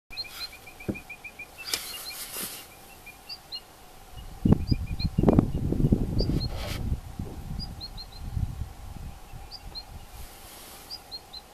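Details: A female Long-tailed rosefinch gives soft, high, thin contact calls, often in quick pairs, repeated through the clip over heavy low rumbling wind noise; recorded 22 July 2012, before being chased off by a shrike.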